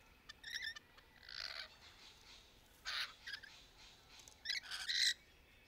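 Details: Lories at play in the branches during courtship: a few quick chirps, then rough, buzzy screeches in separate bursts, the last ones loudest.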